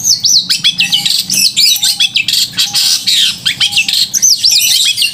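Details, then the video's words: Long-tailed shrike singing a crisp, loud song meant to provoke emotion and mating urge in other shrikes: fast looping, wavering high whistles repeated in quick bursts, with brief steady mid-pitched tones between phrases and a low background hum. "Cendet gacor suara kristal dan keras cocok untuk memancing emosi dan birahi cendet"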